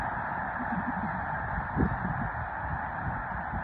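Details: Thousands of snow geese lifting off at Mobridge, South Dakota, on March 4, an even, dense clamor of yelping honks with soft low thuds and a short louder swell near the middle.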